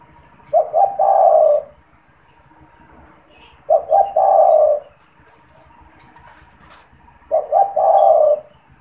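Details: Spotted dove in a cage, cooing frequently, used to draw in wild doves: three matching phrases roughly every three and a half seconds, each a stuttered double coo leading into a long low hollow note, with faint ticks and chirps.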